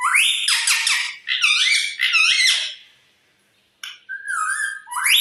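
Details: Talking parrot producing loud, grating squawks with wavering harmonic tones in three long bursts, a pause, then a short whistle and a final rising screech.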